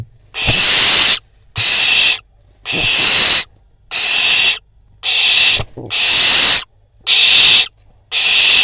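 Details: Barn owl fledgling at an Israeli nest cam after a prey delivery, eating next to a pigeon; steady series of eight hoarse hiss-screeches, roughly one per second, each about half a second long.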